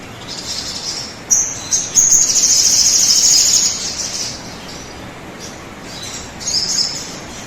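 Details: Sunbird song played as a lure so birds start singing fast: a loud, high, rapid trill lasting about two seconds, then softer high twitters, with a constant buzzing hiss behind.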